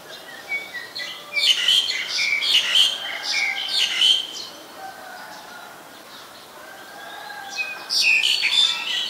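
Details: Black-collared starling recorded in Ubon Ratchathani, Thailand, on 2 January 2020: bursts of harsh, squawky, chattering notes mixed with short whistles, a quieter pause mid-way, then another loud harsh flurry at the end.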